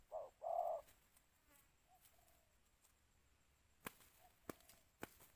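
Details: Spotted dove kept as a decoy, calling to lure wild doves for trapping in the two-note 'ku-ang' style. Two loud, low, hollow coos open the clip, followed by fainter distant coos and several sharp clicks.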